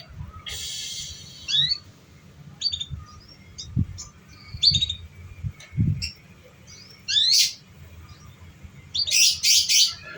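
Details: Lure song of a canary meant to get young canaries singing: scattered high chirps and rising sweeps, a few short whistles, then harsh buzzy bursts near the end, with occasional low thumps and steady background hum.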